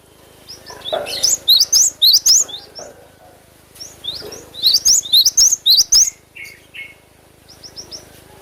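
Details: Cinereous tit in full song, natural recording for training cage birds: soft lead-in chirps, then two dense runs of shrill two-part notes repeated rapidly, ending with fainter high chirps trailing off.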